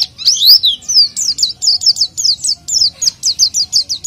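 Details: Continuous oriental white-eye song for luring untrained birds: after a few varied slurred whistles, a fast series of near-identical high, down-slurred chirps repeats about four times a second.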